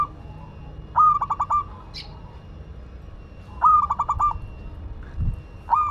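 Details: Local Madura zebra dove in full song: phrases of five or six fast, bubbling cooing notes, each ending in a longer coo, repeated about every two and a half seconds, with a faint steady hum and a brief tap behind.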